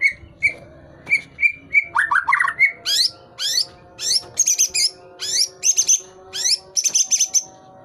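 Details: Tail-pushing white-rumped shama singing actively: short level whistles give way to harsher, buzzy notes, then a long series of high, sharply rising, rasping phrases repeated every half second or so.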